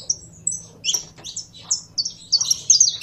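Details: Brief run of high chirps and slurred whistles from a saffron finch, growing denser and buzzier at the close, with low background hum.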